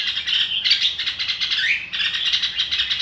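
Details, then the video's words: Red-whiskered bulbul pouring out a continuous chattering song of quick, bright whistled notes, one phrase sliding downward near the middle, with hardly a break throughout. "chào mào ro kích bổi sung theo"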